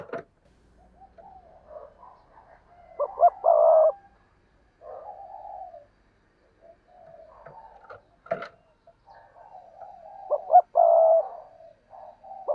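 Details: Spotted dove cooing twice, each a pair of short clipped notes followed by a longer, steady, hollow coo, with softer, fainter cooing from other doves in between.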